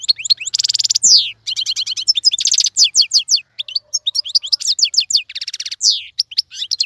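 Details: Tutor song of a European goldfinch for training young birds, full and rapid: bright twittering phrases mixed with several buzzy, rasping trills and downward-sweeping whistles, delivered almost without pause.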